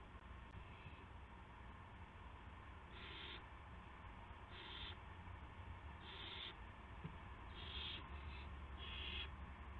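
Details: Evening owl sounds from March 18 2016, 8:00 PM, when a gopher arrives: a run of six short, hoarse hissing bursts, growing slightly louder and closer together toward the end, over steady low hum.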